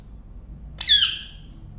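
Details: Parrot letting out a single short, harsh squawk that drops in pitch, in a quiet indoor setting with faint low hum.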